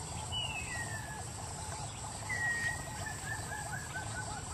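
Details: White-faced whistling duck in Gambia, 2010, giving thin, clear whistles that slide downward in short runs, over a steady low rumble and a softer repeated chatter underneath.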